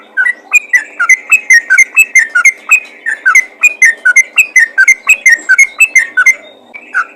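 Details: Yellow-vented bulbul calling to other bulbuls: a long, rhythmic sequence of bright whistles alternating between two pitch levels, some notes slurring downward, with a brief thin steady tone near the end.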